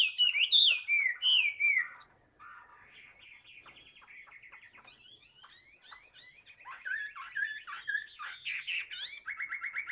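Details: Captive tame Chinese hwamei opening with loud swooping whistles, dropping to a soft rapid twittering passage, then returning to strong slurred notes and a final buzzy trill.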